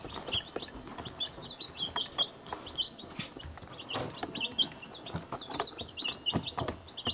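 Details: Eighteen chicks about a week to ten days old, a mix of barred rocks, silver laced wyandottes, blue copper marans and Isa reds, in a chick box with a camcorder set among them; high, sharp peeps repeated rapidly, with scratching and rustling.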